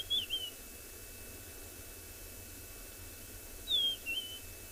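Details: Rufous-naped lark answering another lark's song at sunrise in the Tswalu Kalahari Reserve, South Africa, 21 October; two high whistled phrases, a slurred downward note then a brief trill, separated by about three and a half seconds of quiet.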